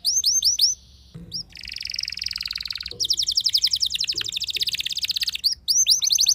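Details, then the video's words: Canary song used to provoke rival canaries into singing: swept rising whistles, a short pause, then a long buzzy trill followed by fast rattling repeated notes and more swept whistles at the end. "Pancingan Burung Kenari Bikin Emosi Kenari lain Dijamin Langsung Nyaut Ikut Gacor Panjang"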